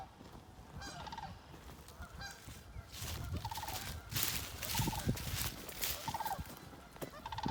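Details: Sandhill crane in Ontario, the first heard this year, flying over fields near a backyard and looking as if it might land: rolling, rattling calls repeated every second or so, with wind rumble and handling noise beneath.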